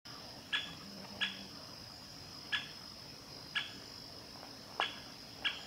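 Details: A male great spotted woodpecker (Dendrocopos major) at Ōhora spring, Lake Yamanaka, Japan, 11 August 2020, gives six sharp, abrupt 'kik' ground calls at irregular intervals of about one second, over a steady high insect drone.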